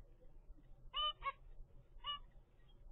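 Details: A 25-day-old captive zebra finch chick from a first clutch gives three short, nasal, honking notes, two close together and one a second later, over a low background hum.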